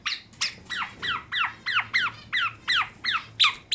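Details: Caged tame black-naped oriole from Klaten, Central Java, giving a steady series of short downward-slurred nasal notes, about three per second, evenly spaced.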